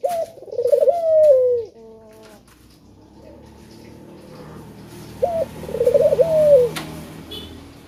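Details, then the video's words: Male spotted dove calling as a lure to prompt other doves to sing: two rolling, warbling coos, each about one and a half seconds long and separated by a pause, with faint electronic tones and low background hum between them. "Puter Jantan Yang Gacor Suara Pancingan nya Sanggat Menggoda"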